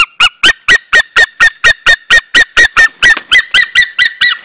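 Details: A White-tailed Eagle at its nest in Estonia, March 2013, start of breeding season, gives a long, even "eagle singing" series of loud, goose-like yelping notes, about four a second, steady in pitch throughout.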